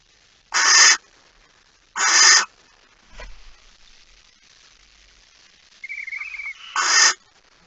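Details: Barn owl at night, 9 September 2019 at 02:18, giving three loud drawn-out hissing screeches about a second and a half apart, with a faint thump and a brief quiet warbling sound between them.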